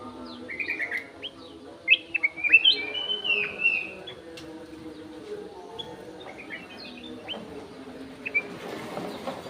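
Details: Aviary golden-fronted leafbird delivering a rich, rapid run of clear whistles and slurred chirps early on, then sparser single notes, over a faint constant hum.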